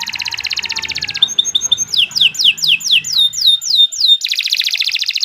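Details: Canary singing a long song meant to prompt other birds: fast pulsed trill, short flat whistles, a steady series of seven falling sweeps, then a buzzy rattling trill.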